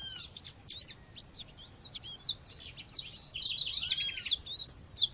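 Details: Female seedeater calling to stimulate males, set against nature sounds: rapid, thin, high whistled chirps and upslurred notes tumbling over one another at about two or three per second, with short buzzy rattles near the end.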